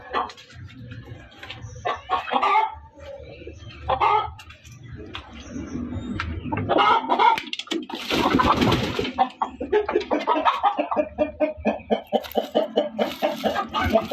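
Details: Hen cackling loudly, a run of harsh clucks that speeds into rapid, evenly spaced pulses near the end, with a low background hum throughout.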